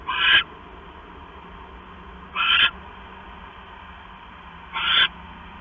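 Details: Owl at night on 6 September 2015 around 10:52 PM, the male bringing a mouse to the female; three harsh, hissing screeches, each about a third of a second, spaced roughly two and a half seconds apart over a faint steady hum.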